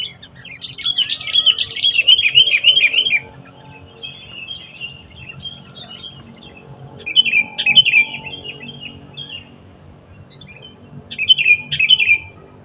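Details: Sooty-headed bulbul in the wild during bird trapping: three bursts of bright, bubbling, warbled phrases, the first long and loudest, the later two shorter, separated by quieter gaps with faint chirps over a low rural background hum.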